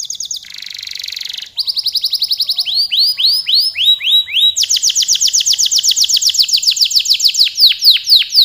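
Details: Canary pouring out a long, lively song: a harsh buzzy burst, then rapid rolls of high repeated notes shifting into sweeping, rising-falling syllables and long fast trills, without a break.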